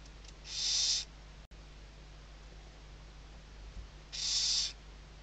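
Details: Western barn owl chicks beneath their mother's wings at a webcam nest, Riet Vell Nature Reserve, Ebro Delta, Tarragona, Spain, 2023; two drawn-out, noisy hisses about three seconds apart over a quiet hum, with a brief click between them.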